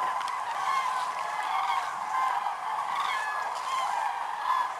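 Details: Migrating common cranes at Lac du Der-Chantecoq in Champagne-Ardenne, France, in November 2014, part of a record concentration above 206,000 birds; steady wall of layered trumpeting calls, many birds calling at once without pause.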